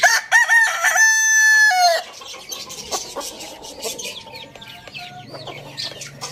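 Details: Rooster crowing in the morning: one loud, roughly two-second crow, a rising then held harmonic note that drops sharply at the end, followed by busy high chirping of small birds and softer background clucks.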